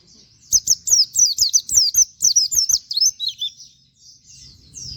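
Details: Rapid 'wit wit' canary-style song of a white-eye kept as training material for other birds. A dense two-and-a-half-second run of high, falling whistled notes fades into softer, scattered chips and light background noise.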